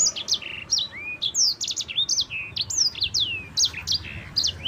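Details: Yellow-fronted canary, a champion bird, delivering a long rolling song known as ngerol with a clear voice: a rapid, continuous stream of high whistles, sweeping slurs and short buzzy trills with barely a pause, over a faint low background hiss.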